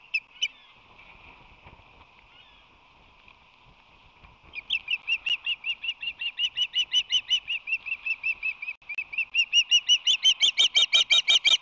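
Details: At the Whirley Crane nest, March 22, 2019, an osprey reacts to a visitor. A couple of calls open, then quiet, then a long train of shrill whistled chirps that builds louder and quickens toward the end.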